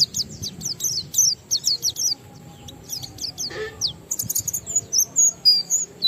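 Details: Oriental white-eye singing in the ngalas style, meant to set other white-eyes singing: rapid high, sharp whistled notes with downward slurs, broken by a brief lower rasping note midway.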